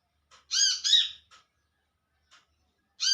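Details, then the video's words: Olive-backed sunbird calling to companions: two loud, harsh, buzzy notes in quick succession with strong overtones, a few faint short ticks after, then another harsh note begins near the end. "Suara Panggilan Burung Kolibri Manggar/Kolibri kelapa"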